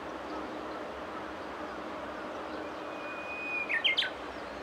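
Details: Japanese bush warbler calling as it flies off. A drawn-out level whistle ends in a brief burst of three falling notes near the end, fairly faint against a steady hiss of outdoor background noise.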